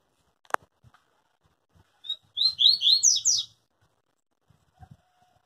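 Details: Yellow-bellied seedeater, a pure-bred singer said never to break its song, delivering a short bright burst of rapid high whistled and slurred notes lasting about a second, with scattered low knocks and clicks around it.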